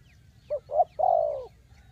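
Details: A single spotted dove coo phrase from a trapping lure: two short hollow notes, then a long, slightly falling coo, low and soft.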